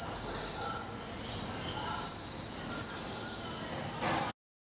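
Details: Nest of a black redstart, Portugal: a run of piercing high squeaky notes, about three per second, ends with a soft knock before sudden silence.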